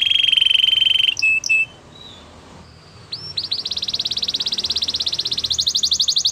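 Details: Belgian canary singing a training song, opening with a steady ringing trill, a few short notes and a brief pause, then a rapid series of rising notes that grows louder, over faint background hiss.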